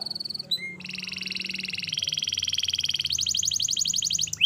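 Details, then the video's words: Canary song for training young canaries to learn singing: long rapid trills of fast repeated notes, shifting between pitch levels, with a low background hum throughout. "Masteran Kenari Gacor Panjang‼️Cocok Untuk Pancingan Kenari Belajar Bunyi dan Macet Bunyi"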